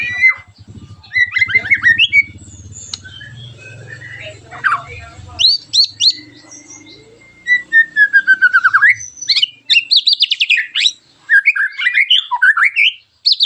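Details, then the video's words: White-rumped shama giving rough 'tembakan tajam kasar' song intended to stimulate other shamas to sing; a low hum underlies the opening, then rapid trills, long clear whistles and dense chattering runs of notes fill the rest. "TEMBAKAN TAJAM KASAR burung MURAI BATU gacorr memancing agar murai anda ikut NEMBAK"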